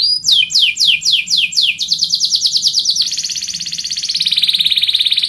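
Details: Canary song used as training for a bird singing contest: rapid descending whistled sweeps repeated about three times a second, then a fast buzzy trill that settles into a steady, even rattle.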